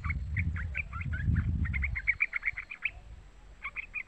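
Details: A young yellow-vented bulbul (trucukan), used as a lure call for trucuk birds, chatters in quick repeated chirps, first over low rumbling noise, then clearer with brief pauses.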